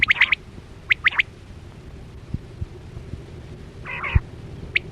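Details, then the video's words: Quail lure sound for net hunting in 2024-25, with two bright triple whistled phrases in quick succession, a quiet pause, then a raspy chattering burst and one final whistle, over low hum. "Sound Of Chora Quail Batera"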